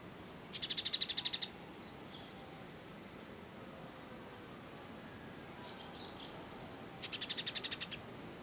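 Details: A sunbird, called kolibri ninja in Indonesia, on bird-training material: two bursts of a fast, dense buzzy trill with soft high twittering between them.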